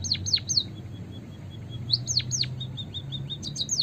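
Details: White-headed munia calling vigorously, used as a lure sound for trapping birds: bursts of sharp, high, steeply falling chirps in quick runs of three, then soft, thin, level notes, with a low rumble beneath.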